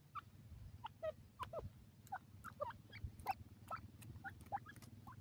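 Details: Black francolin chicks feeding on green grass in the wild; short rising peeping notes, some with a pitch jump, given irregularly amid faint pecking clicks and low background hum.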